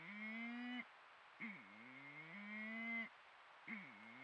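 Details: Malleefowl, male and female, calling in Patchewollock Conservation Reserve, Victoria; loud, low, moaning harmonic calls, some held level for nearly a second and others sliding downward, in four separate calls over four seconds.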